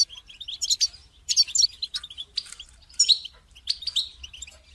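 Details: Caged European goldfinch calling, used to get a non-singing caged goldfinch to sing; rapid twittering phrases in clusters with short pauses, high and tinkling.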